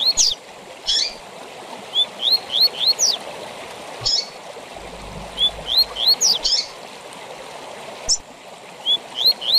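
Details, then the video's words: A Double-collared seedeater delivers its tui tui zel zel song, used to teach captive birds: three or four rising whistled slurs followed by high buzzy downstrokes, repeated three times over a constant stream-like hiss. "TUI TUI ZEL ZEL DE FIBRA TOP PARA ENCARTE DE COLEIROS E PAPACAPIM"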